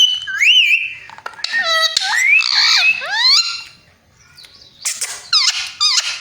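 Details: Parrot copying a cat's meow alongside talking: a wavering whistled note, then loud overlapping harmonic glides and upward sweeps, a short quiet gap, and a final cluster of quick repeated notes.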